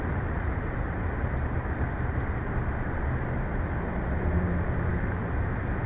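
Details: Continuous deep engine-like drone with a faint steady hum, traffic noise only and no animal voice present.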